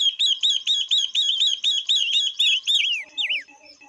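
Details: Female Chinese hwamei song meant to stimulate males: a steady string of about ten strong, repeated downslurred whistles, ending in two long swooping notes, with faint low twittering behind.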